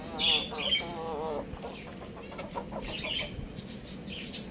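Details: Young roosters playing at home: wavering, warbled harmonic calls open the recording, then give way to scattered softer clucks and sharp high chirps.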